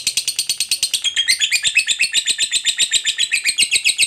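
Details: Fighter lovebird's 'ngekek panjang' chatter, a lure to get other lovebirds singing; quick grating notes about four to eight per second, a twisting squeaky phrase around the first second, then regular rasping pulses.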